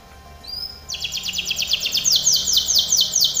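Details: Training song of a canary, opening with a thin whistle, then a rapid trill turning into slower falling sweeping notes.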